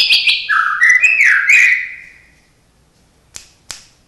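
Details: Caged white-rumped shama singing with mimicry: a high trill slides into lower, varied whistled and warbled notes that fade out, followed by silence and two sharp clicks.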